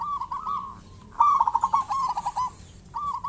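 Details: Local zebra dove used as a lure to draw calls from other zebra doves, giving three bubbling, trilled coo phrases, the middle one loudest and longest, with rapid rolling notes.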